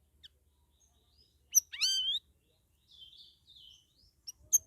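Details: Captive cucak rawis (straw-headed bulbul), in its second week after leaving a group cage, singing vigorously (gacor): a loud, rich slurred whistle rising then falling, then softer warbled phrases and sharp high chips.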